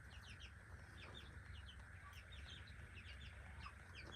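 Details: Backyard chicks at breakfast peep in high, descending chirps scattered through the clip, softer and partly buried under a loud, steady low rumble.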